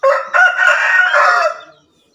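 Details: Green junglefowl from Java, crowing in the steady 'gacor terasan' style: a harsh, hoarse two-part crow, a short rasping note followed by a longer strained buzzy phrase of about one and a half seconds, then silence.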